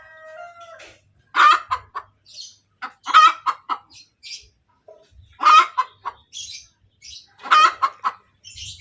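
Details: Hen calling after laying an egg: loud harsh cackles in bursts about every two seconds, each a strong broad note followed by several shorter clucks, with faint chirps of other birds between bursts.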